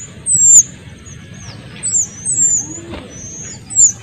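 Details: Noisy small minivets, male and female, give sharp, high, down-slurred whistles in separate bursts over a low background hum. The song is used to train or provoke oriental magpie-robins.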